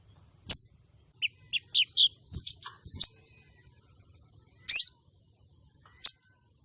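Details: Calling female common iora, meant to provoke males for contests and trapping: scattered high chips and short twittering notes, followed by a harsh buzzy rasp and a final sharp chip.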